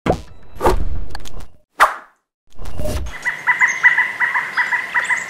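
Pileated woodpecker giving a rapid run of loud, ringing notes, about five or six per second, after a few heavy thumps and rumbling noise.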